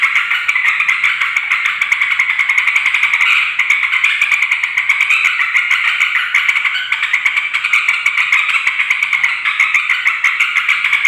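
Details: Yellow-vented bulbul chattering loudly, a lure for wild bulbuls of either sex; steady stream of buzzy, scratchy notes punctuated by quick clicks throughout.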